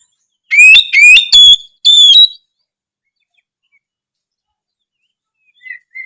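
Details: Oriental magpie-robin singing to urge lazy birds to sing: four loud whistles, the first two sliding upward and the last two held steady, followed by near silence.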